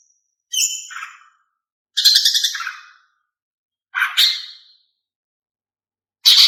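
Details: Cucak ijo female calls meant to make males sing, four rasping chattery bursts with a whistled start, each under a second and spaced roughly two seconds apart, in a quiet setting.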